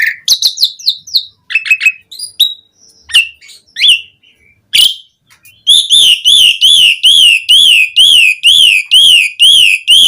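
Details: Asian pied starling song for luring other starlings to sing: scattered whistles and chirps, then a long steady series of ringing, wavering whistled notes repeated about once a second.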